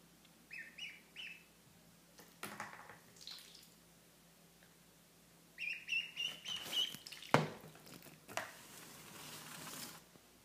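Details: Two newly acquired ducklings on their first day, a Pekin and a mallard, the mallard known for constant crying while the Pekin wants to sleep; thin, high peeping calls in short bursts with a quick run midway, soft handling clicks and rustles.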